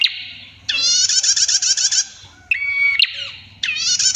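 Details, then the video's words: Female prinia singing a clear, long trill. Dense buzzy high trills run about a second and a half, broken by a short steady whistled note and a sharp click, then another rattling burst. "PRENJAK GACOR - MASTERAN BETINA, SUARA JERNIH, NGETIR PANJANG"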